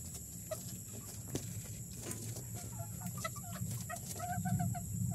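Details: A bantam hen gives an egg-laying cackle after laying her first egg: short, repeated clucking notes over a low rumble.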